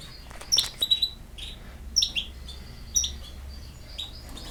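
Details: European goldfinch giving crisp, high chirps and short metallic twitters in bursts roughly once a second, with faint thin notes between and a low steady hum beneath.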